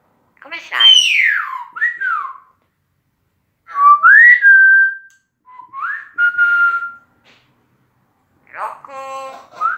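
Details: A talking common hill myna, outdoors, gives loud, clear whistles that swoop down then rise, in three bursts, ending with a nasal, voice-like rasp imitating human speech.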